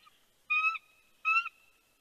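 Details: Wild bald eagle at its nest at Big Bear with a fish, 4:17 PM, 3 February 2020: two short, clear, high whistled calls with rich harmonics, about three-quarters of a second apart, in a quiet background.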